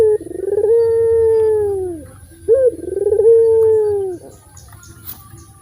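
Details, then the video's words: Thick, powerful song of a local puter dove suited for luring birds: two rolling trills, each leading into a sustained, gently falling coo, then a quieter tail with faint high ticks. "sUARA BURUNG PUTER FULL GACOR DOOR,PUTER LOKAL SUARA TEBAL SUPER KERAS"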